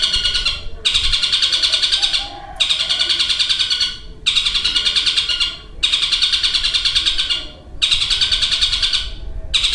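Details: Caged long-tailed shrike imitating a lovebird's long chattering along with kingfisher and sparrow calls. Rasping, rapid chatter comes in bursts of about one and a half seconds, repeated at regular short intervals, six bouts in all.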